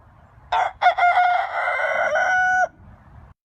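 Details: Chicken crowing: a series of rough, stuttered notes running into a sustained harsh note lasting about two seconds, with low background noise.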